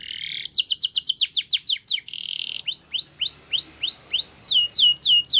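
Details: Belgian canary singing a training song for young canaries, with a rapid series of descending notes, a brief buzzy tone, then slower rising hooked whistles, several times a second, ending in quicker upswept notes.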